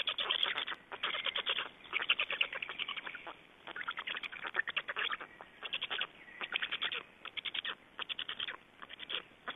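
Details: Black storks at a nest in Estonia on 31 May 2012, during nest change, feeding and the bringing of nest material; rapid pulsed bursts of clicking, chattering notes come in series of about half a second, repeated throughout over a hissy background.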